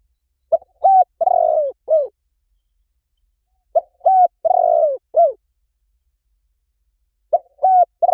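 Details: Spotted dove call for attracting doves in any forest: three four-note cooing phrases about three and a half seconds apart, each a quick note, a flat coo, a long falling coo and a short downturned ending.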